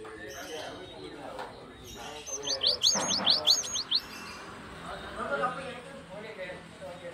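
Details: Cinereous tit, called gelatik batu or gelatik wingko, singing actively as a lure recording: a quick run of about eight sharp, upward-flicking whistled notes. A man talks softly in the background.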